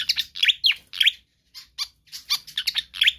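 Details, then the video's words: Vigorous pied fantail song, recorded to tutor or lure other birds. Loud, bright, down-slurred squeaky notes in small clusters, with a short silent break partway through. "Sikatan Kipas GACOR Ngotot"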